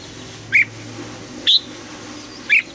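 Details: Red-whiskered bulbul kept for morning song training, giving three short, bright chirped notes about a second apart over a faint low hum.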